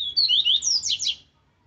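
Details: Captive rusty-collared seedeater delivering a forceful Viviti Zel Zel song for training young birds: quick chain of clear whistled slurs climbing into buzzy trilled notes, over about a second.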